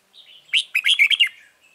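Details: Red-whiskered bulbul at a trap beside a caged lure bird, 9 March 2020: a short, loud phrase of about five quick, bright, bubbling notes over a soft, warbled lead-in.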